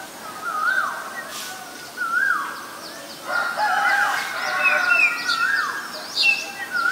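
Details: A Black-collared starling at Ubon Ratchathani, Thailand, on 10 February 2023. Rising-and-falling whistles repeat and then merge into a busier burst of mixed whistles and rough notes, with high chirps from other birds behind.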